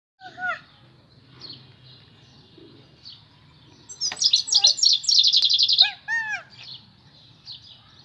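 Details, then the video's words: A European goldfinch sings a bright, tinkling jumble of liquid twitters and slurred notes, broken by a fast, buzzy trill in the middle, over a faint low hum. "European Goldfinch Singing/ Chardonneret Elegant/Eurasian Goldfinch"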